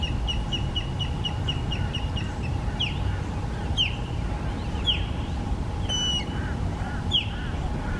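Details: Florida osprey, recorded on a Canon PowerShot SX70 HS, starts with a quick even series of about a dozen thin whistled chirps, then gives loud descending cheeps about once a second, over steady background hum.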